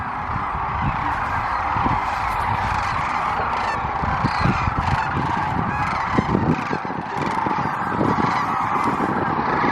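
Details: Sandhill Cranes, probably at least 100,000 roosting on the Platte River at Rowe Sanctuary near Kearney, Nebraska, during spring migration, give a continuous overlapping chorus of rolling, rattling trumpeted calls on a sunny day as they are about to take off; faint onlooker voices.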